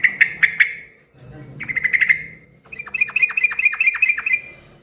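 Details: Yellow-vented bulbul calling busily to draw answers from other bulbuls: quick triplets of sharp chirps, a fluttering phrase, then a string of about a dozen clipped, descending notes.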